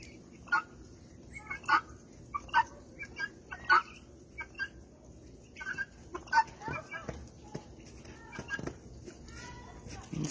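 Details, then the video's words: Female helmeted guineafowl (pearl guinea hen) in a backyard flock gives harsh, grating two-note "buck-wheat" or "come back" calls about every second, a call only females make; softer clucks and chatter from other guineas follow. "what do female guineas sound like?Guinea hens are obnoxious."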